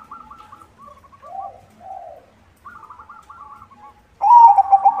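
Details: White zebra dove song used to lure other zebra doves: soft stuttering coo trills repeated in short runs, with a sudden loud, rich rolling coo phrase at the end.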